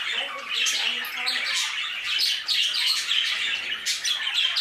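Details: Busy chatter from budgerigars kept in an aviary: overlapping squeaks, chirps and warbled phrases form an unbroken high-pitched chorus.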